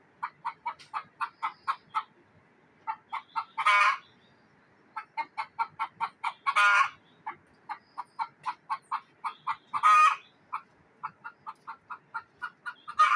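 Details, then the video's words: Alarmed hen in a Neelum Valley village, Kashmir, cackling on and on: long trains of sharp, rapid clucks broken every few seconds by a loud, rasping, stretched squawk, the cycle repeating three times and beginning a fourth. "The frightened hen is making a noise"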